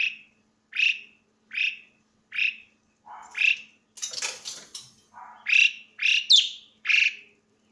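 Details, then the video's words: Loud Asian pied starling song: a row of evenly spaced harsh, buzzy notes, a noisy rasping burst in the middle, then more squawky notes and a sharp whistled squeak. "burung jalak suren bersuara nyaring"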